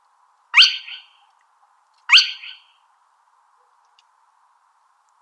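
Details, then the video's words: Two loud, sharply rising whistled notes of a spotted crake about one and a half seconds apart, each with a short buzzy tail, then a pause before a third note begins; faint background hum. "ছিট খেনি পাখির ডাক | Spotted Crake Bird Sound | Spotted Crake Call"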